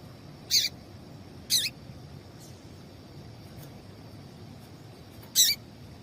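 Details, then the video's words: A female double-collared seedeater calls to excite males for tournament singing, giving three bright, high chips spaced about a second and then four seconds apart against a quiet hiss. "Piado de Fêmea de Papa capim esquentar"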